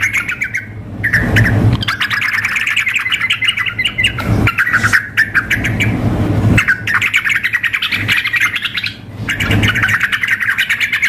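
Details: Sooty-headed bulbul, a female calling the male plus a frenzied singing bird for a contest simulation; dense, buzzy rapid chattering in several long bursts separated by brief breaks, low hum under it.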